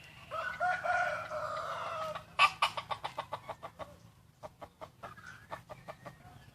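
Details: Wild chicken crowing at dawn on the first day of Hmong New Year, 15 December 2020: a distant, drawn-out crow over steady low background noise, followed by a fast run of sharp clicking or tapping sounds.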